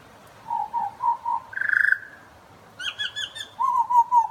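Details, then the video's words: Butcherbird singing: four low fluting notes, a brief buzzy burst, a pause, then a run of higher bright whistles and more mellow low notes, clear and tuneful. "Butcherbird love song"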